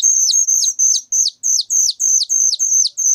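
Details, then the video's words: A young whistling thrush gives very loud, shrill, high calls, about three a second, each a sharp note ending in a quick downward flick, with no other sounds. "suara anakan burung ciung Batu sangat nyaring"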